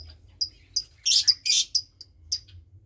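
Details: Lovebird chick about 20 days old, from a Parblue Turquoise and Euwing Blue Opaline pair, in a nest with one other chick: high, thin chirps and short raspy bursts, some repeated closely, over a faint low hum.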